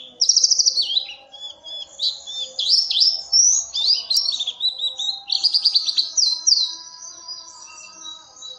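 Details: Vigorous Oriental white-eye song for luring other birds: an unbroken stream of high sweeping chirps and rapid trilled bursts, fading softer toward the end.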